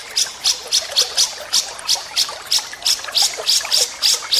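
A Grey-cheeked bulbul gives harsh, sharp rasping notes, about three a second in an uneven run, high and hissy with no other clear sounds.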